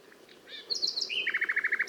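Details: Nightingale song: a few soft notes, then high whistled slurs and a run of about ten rapid, loud, downward-sweeping notes repeated quickly.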